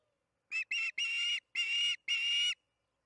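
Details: At the Charlo nest during an evening feeding on June 21, 2019, 8:15 pm MDT, an osprey gives five high whistled calls on nest camera, two brief chirps followed by three long, drawn-out ones.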